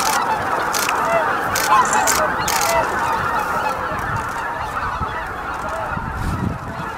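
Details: About 15,000 greater white-fronted geese flying in to roost at Miyajima-numa, Bibai, Hokkaido, in the evening (18:00–18:30) on 11 April 2016: a dense chorus of high yelping, laughing calls overlapping continuously, a few louder honks standing out.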